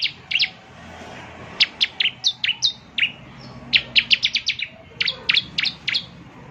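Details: Bar-winged prinia in eager song, played to make a caged bird sing: scattered high, sharp chirps in uneven groups over a low background hiss.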